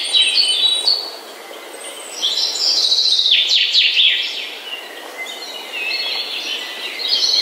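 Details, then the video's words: Morning chorus of birds. High chirps open, then a louder burst of fast falling trills near the middle, followed by softer scattered twitters and thin whistles. "The Best Bird Song - Morning Bird Ringtone"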